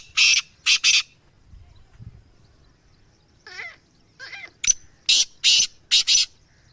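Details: Rare-breed Black francolin, called kala teetar, Gangas Sheedi line. Two rasping notes open, then a pause and a brief whistled, warbling sound. The clip closes with a loud grating phrase of four to five harsh, clipped notes.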